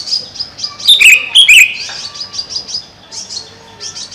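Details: A pond-side caged greater green leafbird, locally cucak ijo, sings a pair of loud, quick, rich slurred whistles amid softer high chirps and twitters.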